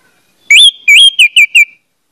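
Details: Orange-headed thrush singing as a lure to get others of its kind to start singing, with clear whistled slurred notes, a rising opener then four quick descending phrases, clean and loud without other sounds.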